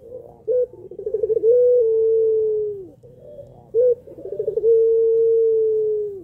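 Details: Puter pelung dove calling to provoke other doves into calling: two low cooing phrases, each a short note, a quick stuttering trill, then a long drawn-out steady coo slowly falling at the end, recorded indoors.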